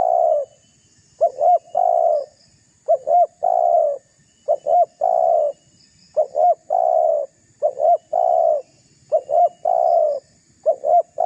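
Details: Lure call of a spotted dove used to goad rivals: about six repeated phrases, each two quick hooked notes then a drawn-out level coo, steady and evenly spaced on a quiet background.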